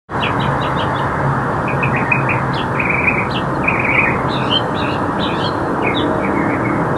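Northern Mockingbird singing varied chirps and trills, each phrase repeated a few times, over a steady roar of traffic.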